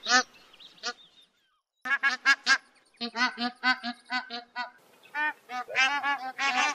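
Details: Bar-headed goose calling in a run of nasal, harmonic honks, several in quick bursts after a short pause, with some overlapping calls suggesting more than one bird.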